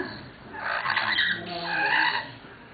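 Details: Captive lories at Weltvogelpark Walsrode, Germany, in August 2011, a pair that seems to be in love: two harsh, rasping screech bursts, one around the first second and a second, louder one near the end, with no other clear sounds.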